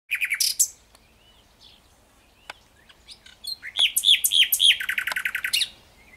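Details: Common nightingale singing. The phrase opens with loud, sharp chirps, goes quiet for a short while, then gives soft notes before a fast, rich series of repeated, ringing notes that ends in a rapid trill.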